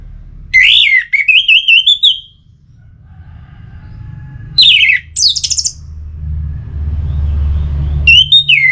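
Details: Anis merah, the orange-headed thrush, from Singaraja, Bali, recorded to trigger singing. Loud, wavering whistled phrases with rapid buzzy trills come in three bursts, separated by pauses of low rumbling background.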